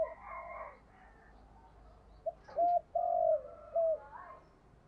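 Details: Decoy spotted dove with a 'thổ'-style voice, cooing and calling: a brief rasping burst, then a short gap and three or four low, hollow, even coos close together.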